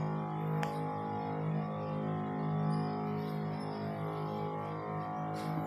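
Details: Sustained instrumental music with steady droning low tones and layered harmonics, a brief sharp click near the start, and no animal sound.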